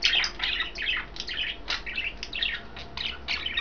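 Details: Three pet budgerigars, green, blue and white, in a cage eating kale; continuous soft warbling chatter and scratchy chirps in overlapping bursts, with a low steady hum underneath.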